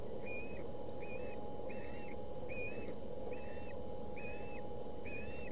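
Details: Ospreys at a Boulder County nest during a fish fight, 20 August 2017. Regular series of whistled, slightly wavering chirps, one about every 0.8 seconds, steady throughout over a faint low hum.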